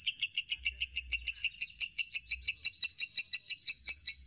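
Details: A lovebird repeats crisp, high chips about five times a second in a regular, measured series, each note sharp and bright. The loud, tight song serves as training audio for cage birds.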